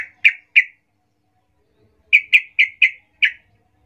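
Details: Female yellow-vented bulbul calling to males, played to lure males: sharp, clipped chip notes, two close together early, then a run of five quick chips after a pause, in otherwise quiet surroundings.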